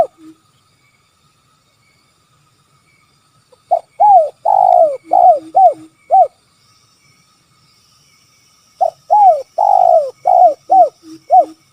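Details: Spotted dove, locally called tekukur, in a kuk 3 call: two bursts of about seven arched coos each, separated by a quiet pause of nearly three seconds, with faint soft lower notes between.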